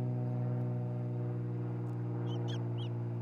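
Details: Osprey pair at their nest near Charlo, Montana, picked up by a nest camera on 27 June 2018 during nest building and mating: three short, high chirped notes close together near the end over a constant low mechanical hum.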